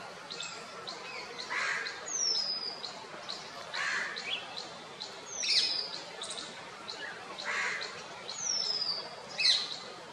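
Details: Indian white-eye (Zosterops palpebrosa), one of a pair preening each other and feeding on fruit in a wild orange tree, gives thin, high, slightly falling 'tsee' notes about every three to four seconds over soft rustling with faint scattered chirps.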